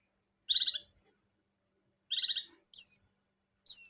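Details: Buxtoni white-eye in breeding condition, with song in the ngecir-into-ngalas style. Two short buzzy, rattling bursts are followed by two clear, high whistles that fall steeply in pitch.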